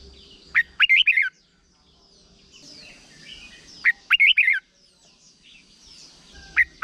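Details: Red-whiskered bulbul, Thailand, repeating a short doubled-style song used to train young birds: two full phrases of rapid warbling whistles about three seconds apart, plus the start of a third, over faint background noise.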